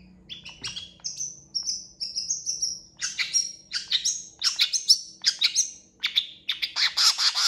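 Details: Long-tailed Shrike in busy, full-content song: thin whistles run into rapid scratchy chatters and bright trills, phrases every half-second with no pause; described as quickly drawing responses from other shrikes.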